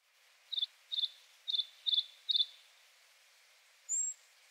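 Thrush nightingale song: five quick, high doubled notes about twice a second, then one thin, sharp whistle after a short pause.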